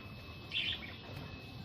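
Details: Young zebra finch gives one brief, high chirp over a faint steady hum.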